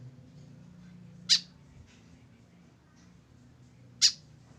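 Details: A solitary tame white-breasted woodswallow without a companion produces two sharp, harsh calls nearly three seconds apart, with soft low rumbling in the background.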